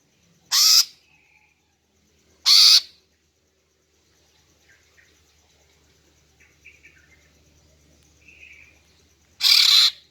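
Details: Three loud harsh rasping notes from a female greater green leafbird luring males, two close together and one after a long pause, with faint soft chirps between.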